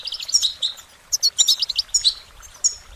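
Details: Loud, lively goldfinch song: dense high-pitched twittering, short chirps and slurred notes delivered in rapid bursts, musical and cheerful in tone.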